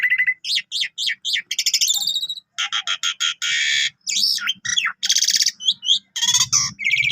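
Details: Javan pied starling, a lively singer with a full repertoire, kept as a tutor bird for canaries; loud varied song of rapid repeated buzzy notes, harsh rattles and whistled upslurs, delivered in quick bursts with brief pauses.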